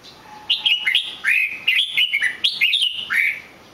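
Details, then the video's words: Red-whiskered bulbul song made of three quick bursts of cheerful, warbled whistles, each phrase a run of slurred rising and falling notes, delivered clearly against a quiet background. "chào mào hót cực hay"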